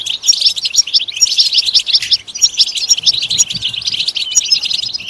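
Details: European goldfinch song for stimulation: lively, rapid chatter of tinkling and buzzy notes with bright high whistles scattered throughout.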